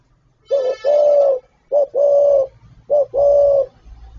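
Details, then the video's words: Spotted dove giving its calling and cooing repertoire (gáy gọi, thúc, gù): three low hollow coo phrases, each a brief note followed by a longer drawn-out coo, with a faint low rumble underneath. "Tiếng chim cu gáy đủ bài gáy gọi, thúc, gù"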